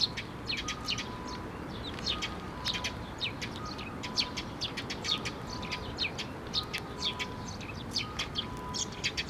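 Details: Several sparrows gathering at a feeding perch at a shrine on 6 May 2023: continuous busy chirping and short tweets throughout, over constant low rumbling background noise.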